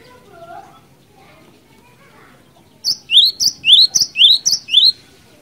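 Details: Cinereous tit singing in the gacor, ngerol ngeplong style, used as a lure: after a quiet start, six loud, sharp, rising two-part notes ring out in quick succession over faint background noise.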